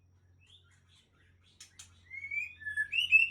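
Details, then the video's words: Murai Aceh white-rumped shama, a breeding hen: after a near-silent opening, a short burst of chirps, then clear whistled notes that slide and waver toward the end, with a steady low hum underneath. "Murai Aceh # Induk Super Mun Ladong 3"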